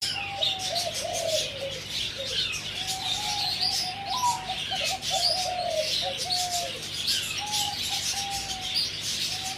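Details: Four-month-old zebra dove near Sanam Luang, recorded 2/11/2568, gives soft rolling cooing trills, each descending slightly and running into the next. A loud hiss of insects or background noise covers the higher range.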